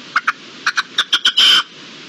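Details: Red-legged partridge in the wild in March 2022: a quick run of paired, clipped chuck notes that speeds up and ends in one loud, harsh, grating note.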